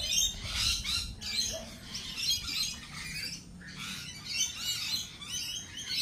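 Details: Lorikeets producing rough, hissing squawks in repeated bursts roughly every second, with brief quiet gaps and a faint low hum beneath.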